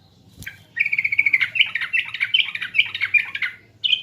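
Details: Sooty-headed bulbul lure song from East Java: after a sharp click, a continuous three-second stream of fast, chattering warbled notes rises and falls, ending with a brief extra phrase.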